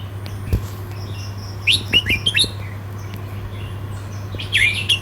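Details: Red-whiskered bulbul giving a rhythmic southern Thai 'sai nap dok' counting-flowers song: a middle burst of quick, clear rising and falling whistles, then another short phrase near the end, over a steady hum.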